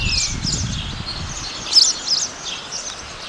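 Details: High-pitched twittering from a Spotless starling, Sturnus unicolor: clustered chirps with a sharper squeaky burst just before the two-second mark, then softer scattered notes; low noise fades after the opening.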